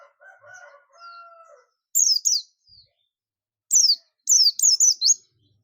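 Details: Buxtoni Oriental white-eye giving its ngalas call to draw other white-eyes in: soft lower whistled notes at first, then bright high descending chirps in pairs and a rapid run of four.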